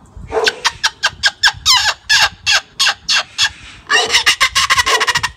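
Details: Male Moluccan cockatoo kept as a pet laughing at kids walking by outside, hoping they say hi: evenly spaced harsh laughing syllables about three per second, then a quicker, denser burst of laughter.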